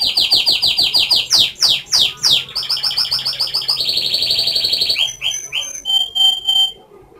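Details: Canary pouring out a varied whistled song: quick repeated notes, sweeping downward slurs, a long rolling trill, then sharp clipped chirps and high whistles, loud and clear throughout.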